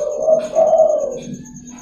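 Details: Local zebra dove cooing in the morning, a song used to lure and train other zebra doves: a low, soft, rolling coo in two swelling phrases that fades out, with a faint steady high-pitched electronic whine throughout.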